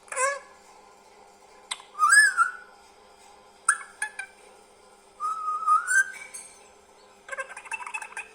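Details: Green parrot kept as a talking pet, mixing short clicks and squawks with arched whistled calls, a long rising whistle, and a closing burst of rapid buzzy chatter.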